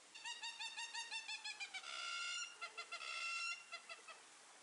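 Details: Captive African hamerkop at a zoo at Saint-Martin-la-Plaine, France, filmed while busy building nests: rapid run of nasal, piping notes about five per second, swelling into a denser overlapping chatter mid-sequence, then breaking back into spaced yelping notes.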